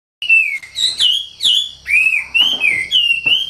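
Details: Wambi bird in full, lively song: clear whistled notes sliding down and then up, in phrases about half a second long with short breaks, over a steady high hiss.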